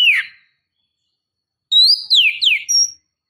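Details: Female oriental magpie-robin calling to provoke a male into singing: one falling whistle, a pause, then a bright whistled phrase with sliding, descending notes.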